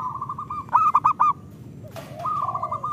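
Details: Local Indonesian zebra dove song used as a lure to prompt idle caged birds to sing; a run of soft trilled coos near one pitch, then a louder burst of rounded cooing notes, and a trailing trill after a brief rustle.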